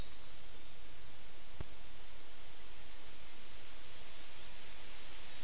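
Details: Even outdoor hiss like wind through foliage, broken once by a single sharp click, with no animal calls.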